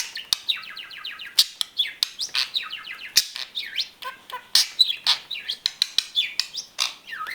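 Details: A male pet budgerigar, back home after an unexpected escape, chatters through his repertoire in quick runs of high, down-slurred chirps with clicks and warbles.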